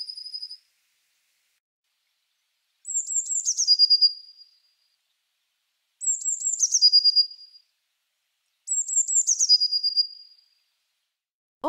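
Blue Tit song: three phrases about three seconds apart, each opening with thin, very high notes that drop into a quick, lower trill.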